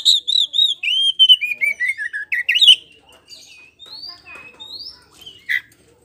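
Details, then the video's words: Oriental magpie-robin, local kacer poci, giving lure song so rivals answer: a fast series of clear, descending whistled notes, then softer, thin rising whistles with gaps. "SUARA PANCINGAN KACER POCI GACOR NGEPLONG BIKIN NYAUT NGOBRA!!!"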